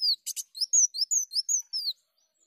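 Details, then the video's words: Short sunbird phrase meant to attract birds: one buzzy burst among about eight sharp, very high whistled slurs, some rising and some falling, in a clean recording. "Pancingan Kolibri Daun Bocor"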